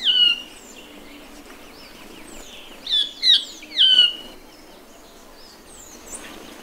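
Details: Band-tailed manakin, a Brazilian bird: loud, harsh, sharply descending notes with strong overtones, one at the start and then three in quick succession near the middle, over a busy chorus of thin, high whistling birds.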